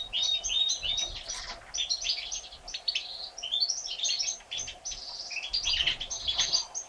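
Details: Day-old European goldfinch chicks, three of them hatched 1 April 2017, beg while their mother feeds them: busy high twittering and squeaky notes in quick bursts, rising and falling in loudness.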